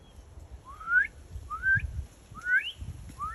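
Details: Northern cardinal singing: a series of clear whistled upslurs, each rising sharply in pitch, four notes spaced about 0.8 seconds apart over a steady low rumbling background.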